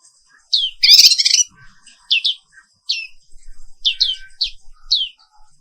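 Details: Black-capped white-eye, called Pleci Papua Wiklus, singing in the morning: a loud harsh chattering burst, then sparse high down-slurred notes and short quick twitters.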